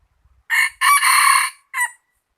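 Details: Rooster crowing: a short opening note, then a long loud drawn-out harmonic-rich middle phrase and a brief falling final note, all within about one and a half seconds, on a quiet background.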